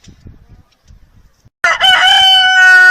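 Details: Rooster crow bursting in loudly after a second and a half of faint low background noise, a strong harmonic held cry continuing to the end.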